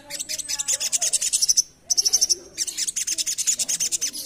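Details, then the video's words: Asian pied starling in lively, full rapid 'ngerap' song used as a lure: fast, harsh, scratchy chattering notes repeated in quick bursts, broken by a short run of bright piping notes and a brief pause. "Burung Sogok Ontong Gacor Full Ngerap Cocok Untuk Pancingan"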